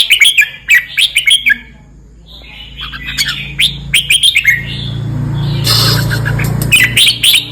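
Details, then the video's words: Red-whiskered bulbul from southern Thailand singing in the 'ben' style, song 234: bright, bubbly whistled phrases in quick bursts of short notes, a pause, then further chattering phrases over a low hum and rustling noise. "นกกรงหัวจุก ร้องเบิ้น 234 แดนใต้"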